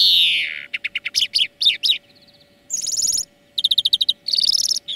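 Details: Greenfinch song lesson for training birds: opens with a falling nasal wheeze, then fast rhythmic twittering notes and ringing buzzy trills in quick succession.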